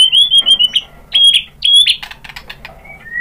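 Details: White-rumped shama singing, played to lure other shamas into answering: high clear whistles in short bursts, each ending in a sharp harsh note, then scattered chirps and two falling whistles.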